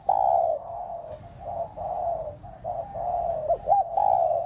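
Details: Decoy spotted dove used to rouse pet doves to coo, giving a steady string of soft, low, hollow coos that run almost without pause and hold a nearly level pitch, with a slight hiss behind.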